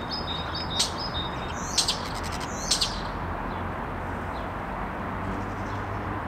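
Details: A trio of common starlings in song: short whistles followed by dry clicking rattles in quick bursts, then a quieter stretch, with steady low hiss throughout.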